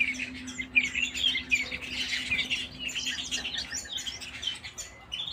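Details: Singing canaries fill the air with fast overlapping chirps and rolling trills, a faint steady hum running beneath.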